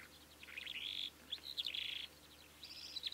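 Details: Calandra lark singing: high, scratchy, jumbled warbling phrases with buzzy trills and quick chirps, broken by short pauses, against a quiet background.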